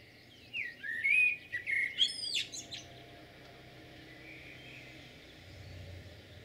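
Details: Common blackbird singing in Jūrmala on 11 June 2022: a short warbled phrase of low fluted whistles sliding between notes, ending in a thin, high squeaky twitter, then quiet background hiss.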